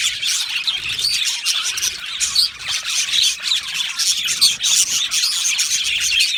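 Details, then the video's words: Budgerigar colony in an aviary, many birds chirping at once: a constant high, scratchy warble of overlapping squeaks and short tweets, with a few brief dips in volume and occasional louder sharp notes. "Budgie parrot chirping sounds"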